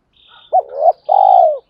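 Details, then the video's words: Spotted dove cooing to stimulate training birds, male and female: a quick clipped note leading into a swelling coo and a long smooth coo that fades downward, with faint high twittering. "tiếng chim cu gáy luyện bổi và mồi gáy theo hiệu quả ra đủ bài"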